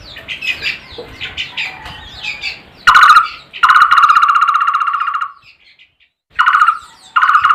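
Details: Barbet giving loud, strange but melodious buzzy trills of rapid even pulses, one long burst followed by shorter ones with pauses, after a stretch of soft chirps from other small birds.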